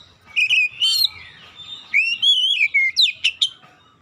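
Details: Oriental magpie-robin singing a lure song intended to make reluctant birds sing: varied loud whistled notes, a long wavering whistle, then rapid sharp chips and rasping notes.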